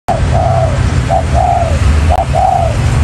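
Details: Spotted dove used as a decoy to lure and catch wild birds: loud, low cooing in three paired phrases, each a short note followed by a longer drawn-out coo, over a deep low rumble of background noise.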